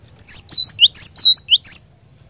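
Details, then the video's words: Loud, close cinereous tit (glatik batu) song used to lure a caged bird into singing: a quick string of four bright phrases, each a high flick followed by a swooping whistle. "PANCINGAN BURUNG GLATIK BATU, DIJAMIN GLATIK BATU ANDA LANGSUNG IKUT GACOR NGEROL"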